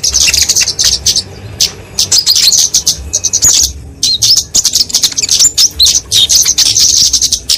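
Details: Kemade flowerpecker fighting song used as a lure and master recording for small songbirds: fast, thin high chips and trilled twittering in long runs with a few short pauses.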